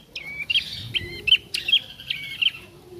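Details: Young bar-winged prinia practising its song: high, chirpy notes with short downslurs and flat trailing tones, about six phrases in three seconds at an uneven pace, with a faint low hum behind.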